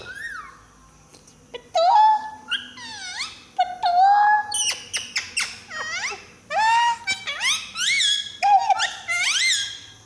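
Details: Pet parrot making loud whistles: rising and falling slurred notes and sweeping warbled phrases in bursts, some squeaky and harmonic-rich, filling the whole stretch indoors.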